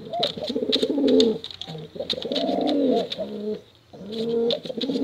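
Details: Pigeons, male and female, cooing in bouts for luring squabs; throaty rolling coos in three bursts separated by short pauses, several birds overlapping.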